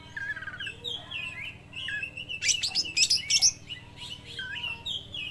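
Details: Oriental magpie-robin of the speckled trotol type, fully singing and mimicking a lovebird: varied warbled and whistled notes, short rolling trills, then a burst of harsh, shrill, lovebird-like chattering before softer whistles return.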